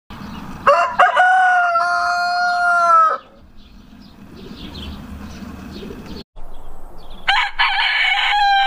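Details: Rooster crowing: a long harmonic crow held level for about two seconds then breaking off, a noisy pause with background hum, then a second crow starting near the end.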